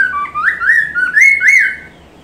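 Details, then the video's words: Chinese hwamei singing as training material for songbirds, a flowing string of loud rising and falling whistles, several slurred upward sweeps following closely, then fading into quiet. "poksay Mandarin masteran langsung nyaut"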